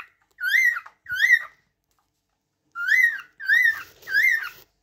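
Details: Cockatiel giving loud whistled chirps, each note bending up and then dropping: two notes, a second of quiet, then three more in quick succession.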